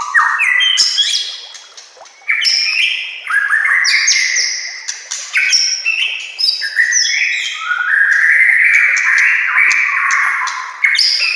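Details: Master song of a white-rumped shama (murai batu), used to train other shamas: rich, rapid outpouring of whistled notes, stepping up and down, mixed with harsh chatters and sweeping slurs, nearly unbroken, with one short gap early on.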